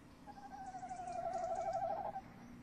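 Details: Nest-box recording of a male tawny owl, female nearby, 30 May 2015 at night: a sustained wavering tremolo near two seconds long, rippling evenly and ending sharply, with soft low rumble beneath.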